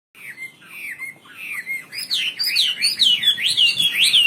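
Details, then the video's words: Wambi bird singing vigorously, kept as a song tutor. Soft descending whistled notes at first, then a loud run of rapid rising and falling slurred whistles and chirps, high-pitched and continuous. "Burung wambi istimewa gacor full"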